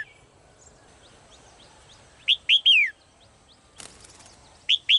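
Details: Female bird in a cage calling: faint soft chirps, then three loud, sharp, downslurred whistled notes in quick succession, a brief rattling burst, and two more similar notes at the end.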